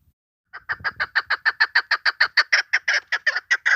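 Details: Female chukar partridge call used to lure birds for hunting: a fast run of about eighteen short, harsh, clucking chuck notes, evenly spaced, lasting about three seconds after a brief silence.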